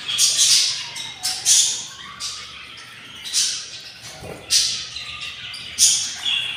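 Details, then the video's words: Six hungry budgerigar chicks in the nest on day 24 after hatching, giving harsh, raspy, hissing begging bursts in irregular pulses, several loud outbursts spaced about a second apart, indoors. "couple budgies nest, 06 eggs , 06 eggs hatched, and 06 beautiful chicks are very hungry / day 24"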